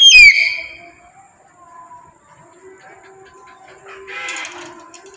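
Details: Single loud, piercing call from a tame pet black-capped lory, sliding steeply downward and ending abruptly. A long quiet stretch of faint tonal background follows, then a softer, rougher burst near the end.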